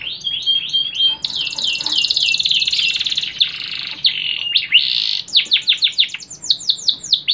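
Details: Canary singing in the cengkok hacker style: loud, high, fast song of rapid repeated upward-flicking notes, buzzy rolling trills and sharp sweeping whistles, changing phrase every second or so.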